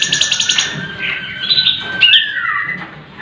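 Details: Sooty-headed bulbul, locally cucak cungkok, singing varied material. A fast high pulsed trill runs over a lower steady whistle, which then slurs upward and falls in a drawn-out glide.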